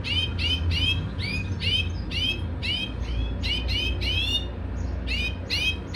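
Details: European goldfinch in a cage during mating, repeating clear rising twittered notes in quick succession, roughly two to three per second with a short pause near the end, against a low droning background hum.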